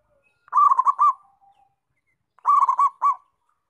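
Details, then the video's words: Local zebra dove, a caged perkutut in strong song: two phrases about two seconds apart, each a quick run of bubbly, pulsed coos ending in a longer note, with a faint soft trailing hum after the first. "Perkutut Lokal Gacor"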